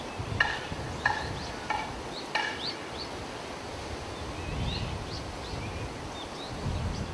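Chinese grosbeak giving four short, sharp calls about two-thirds of a second apart, followed by faint, thin, high chirps, over a steady low rumble.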